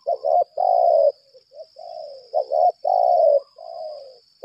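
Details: Spotted dove decoy of the 'lambung kuk' voice type in a fighting display, repeating phrases of short paired coos and a long rich coo with softer trailing notes, with a continuous high hum behind.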